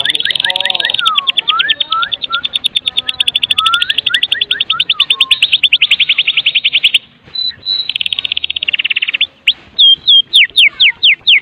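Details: Lively, full song of a Medan white-rumped shama, used as a lure to set other shamas singing: long rapid trills of high ticking notes, descending slurred whistles below, brief pauses, then a few sharp downward flicks.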